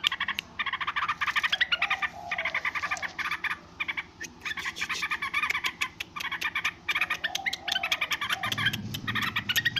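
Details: Yellow-vented bulbul giving long noisy chatter: rapid, rasping chirps in extended runs broken by short pauses, continuing through the clip over a low background rumble.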